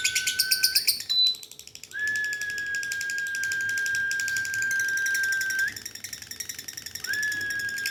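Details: Lovebird, a dun fallow bird kept for song competition, giving long ngekek-style chatter: fast, buzzy, repeated chirps. A steady high whine runs behind them and breaks off twice.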